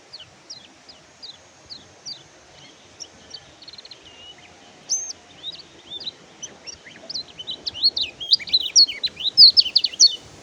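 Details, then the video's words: Oriental white-eye singing: at first spaced, high falling chirps about once a second, then a busier run of sharp rising and falling whistled notes that builds steadily louder toward the end. "BURUNG KECIAL KUNING MACET BUNYI PAKAI MASTERAN INI"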